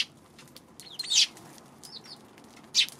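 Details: Eurasian tree sparrow recorded 2 March: a few isolated calls, one loud harsh chirp after a second, soft slurred downward notes, and another strong chirp near the end, over steady low hiss.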